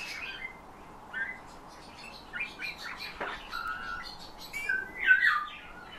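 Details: A trained Eurasian bullfinch sings phrases learned from its owner's whistling and from nightingales and thrushes. Soft mid-pitched whistles and held tones come in separate short phrases, ending in a brighter, louder flourish.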